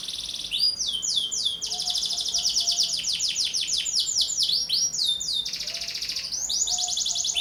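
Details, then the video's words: Canary in lively, energetic song, offered as a lure and master song for training other birds; rapid runs of high, downward-sweeping notes repeated in fast series, with buzzy sustained trills in between, continuous throughout. "KENARI GACOR, [[ PANCINGAN KENARI PAUD. [[ccocok buat masteran burung lain"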